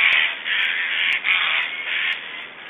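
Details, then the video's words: Strange feeding sounds of black storks in Estonia, 1 July 2012: an almost continuous hoarse hissing rasp broken into four or five swelling bursts, with faint clicks between them. "Estonian Black Storks - Strange sounds and feeding"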